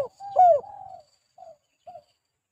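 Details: Spotted dove (tekukur), a lure recording for trapping and training doves: one hoarse drawn-out coo that rises and then falls, followed by two brief soft coos in otherwise quiet surroundings.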